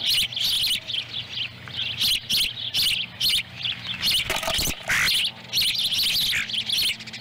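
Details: Ospreys at a Lolo, Montana nest in summer 2017 while a chick eats a small fish the female delivered and a second chick picks up dropped scraps. Repeated high, shrill chirp bursts with short pauses.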